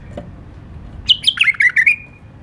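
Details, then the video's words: A White-eared bulbul, the Iraqi nightingale, sings a single phrase of separate high, clear notes that step downward and then lift, spaced evenly over about a second, after a soft tap. "تغريد بلبل مخلف 🥰 لسان نقي😄Iraqi nightingale tweet"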